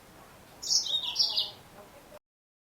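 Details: Female yellow-fronted canary giving one brief burst of high, sharp twitters. The notes fall in pitch in two quick groups over under a second before the sound cuts off.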